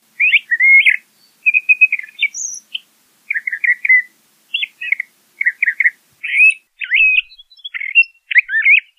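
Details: Varied song from a LeConte's thrasher, short whistled and chattered phrases in quick succession, some warbled, separated by brief pauses over nine seconds.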